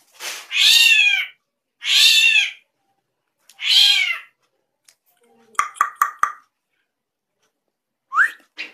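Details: Drongo making unusual sounds: three harsh, cat-like mews, then a fast series of four clipped whistled notes and two rising whistles.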